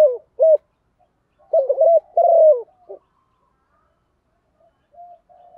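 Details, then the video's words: Spotted dove female calling to stimulate males: a short falling coo and a clipped coo, then a full low phrase with a quavering note, a long drooping coo and a short tail, ending in faint quiet coos. "tiếng chim cu gáy MÁI kích trống hiệu quả"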